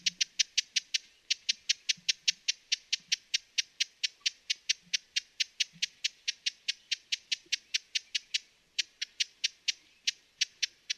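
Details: Broad-billed hummingbird chipping continuously, hard dry clicks at a quick, even rhythm of about four per second, with one brief gap near the end.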